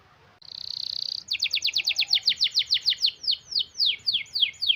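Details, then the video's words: Canary in energetic song, a long tight rolling performance used as a lure for canaries slow to sing: a steady buzzy trill held about a second, then a fast run of descending chirps repeated roughly four per second. "Kenari Gacor Ngerol Panjang Rapet Cocok sekali Buat Pancingan Kenari Malas Bunyi"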